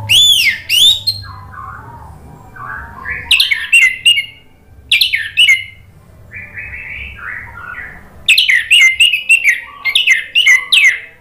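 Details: Orange-headed thrush song for caged-bird therapy: loud bursts of sharp, rapidly varied whistles and chattering phrases, broken by quieter, softer warbling notes between the bursts.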